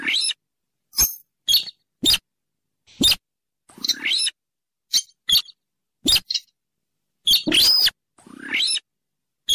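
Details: Rail trapping lure, bird of the Rallidae family found in swamps by rivers and lakes: rapid series of clipped, piercing high squeaks and a few longer harsh screeches, irregularly spaced with silent gaps.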